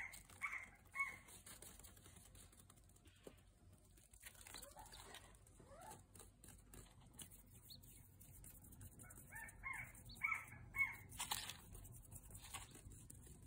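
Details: Four-day-old captive California quail chicks playing with people's hands give short, high, thin peeps in scattered bursts at the start and again near the end, with soft rustling and handling noises between.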